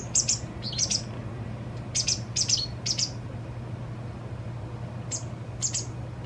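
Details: High, sharp chirps from a White wagtail fledgling being fed by its parent, two days before it becomes independent. The calls come in short clusters with quiet gaps, over a constant low hum.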